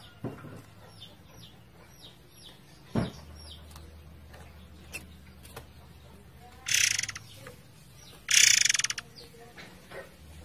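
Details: A forktail (murai air) gives two loud, harsh, rasping screeches near the end, after faint thin high whistles, over a steady low hum, in a training recording set against flowing water.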